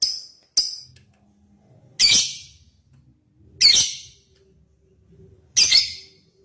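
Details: Lovebird used as a lure to call rivals and set other lovebirds singing: two quick sharp ticks, then three loud, harsh, high squawking chirps spaced roughly every one and a half to two seconds.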